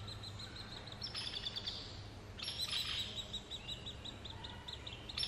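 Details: Hairy Woodpecker nestlings about to fledge, in the Snoqualmie Valley, keep up a rapid, high chattering of short repeated notes, swelling into louder, harsher bursts twice as food arrives, over a low background hum.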